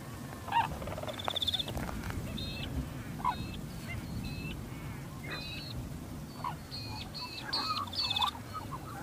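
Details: Brolga calling in southwest New South Wales, Australia: a series of harsh, brassy, honking notes scattered through the clip, several coming in quick runs, over a steady rumbling background noise.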